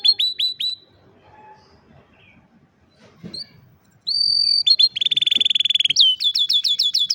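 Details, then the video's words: Canary song recorded on a cellphone: after a few seconds of near quiet with faint low noise, bright high trills and rapid repeated chirps burst in, rolling into a fast buzzy rattle and steady whistled notes. "الكناري بالتأكيد ستحب غناء الكناري الجميل هذا Canary Singing"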